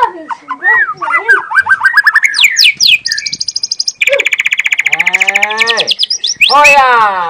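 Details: Young white-rumped shama living wild in forest, singing natural 'tembakan' song: varied looping whistles and rising slurs, a high buzzy trill, then a long coarse rattle of repeated notes ending in a loud harsh squawk.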